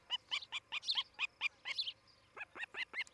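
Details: Osprey at its nest in Charlo, Montana, on a nest camera recording dated 07-11-2018 at about 8:36 in the morning: a quick series of about fifteen sharp, whistled chirps, each bending over at the top, with brief gaps near the end.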